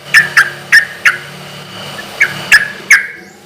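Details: Sooty-headed bulbul singing loudly in a relaxed rhythm, used as a lure so other bulbuls answer: a quick run of four short bright chirps, a pause of about a second, then three more, with faint low hum behind.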